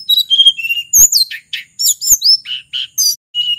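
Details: Sulingan from Mount Merapi singing a varied song meant to lure other birds: a stream of high whistled phrases, descending slurs, crisp clicks and repeated short notes, loud and steady throughout.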